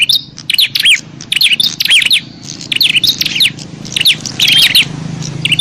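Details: Rowdy bar-winged prinia fighting call for attracting wild prinias: clusters of high, sharp chirps and quick slurred notes in rapid succession, with a steady low hum in the background.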